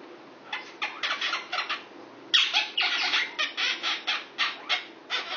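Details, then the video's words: Male Indian ringneck parakeet, six years old, kept as a pet and flirting with a female Quaker parrot nearby: a fast chattering series of short harsh squawks, a brief pause, then a louder, steadier run of rhythmic screeches. "Indian Ringneck Flirting With His Neighbor, a Quaker"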